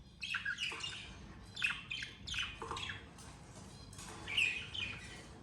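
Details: Budgerigars, a parent pair with two young: repeated short, harsh chirps and squawks in clusters about half a second apart, overlapping chatter with quieter pauses between bursts.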